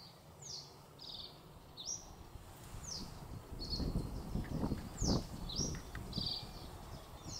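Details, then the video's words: A common reed bunting, filmed from a bird hide at Spookverlaat, a nature area near Alphen aan den Rijn, sings simple high notes: sharp downslurred chips alternating with short buzzy trills, roughly two a second, over steady wind and rustling. "Rietgors herkennen in beeld en geluid"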